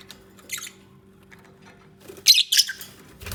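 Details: Pet lovebirds bonding and nesting together, giving short high chirping bursts and a squawky double note, with gaps between calls and a steady low electrical hum behind.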